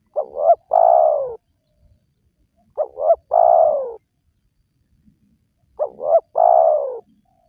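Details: Spotted dove calling, a recording played to lure wild doves into calling. Three phrases roughly every three seconds, each a quick wavering double coo followed by a longer, falling, hoarse coo. Otherwise quiet.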